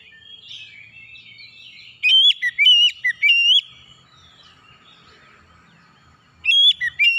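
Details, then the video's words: Oriental magpie-robin singing loudly as therapy audio for untrained kacer: soft warble, then three loud piercing whistled phrases, a quiet gap, and another burst of whistles at the close. "terapi Kacer bahan langsung ngeplong buka paruh gacor power suara keras"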